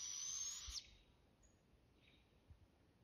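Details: Young barred owls calling back and forth to each other in southern Oregon, Pacific Northwest. A loud, harsh, hissing screech opens and cuts off abruptly just before one second, followed by a faint brief rasp from another bird.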